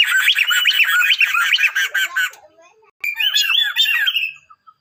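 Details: Male and female Sunda laughingthrush in duet: loud, hurried, cackling chatter for two seconds, a brief gap, then another rollicking laughing run fading into a drawn-out whistle.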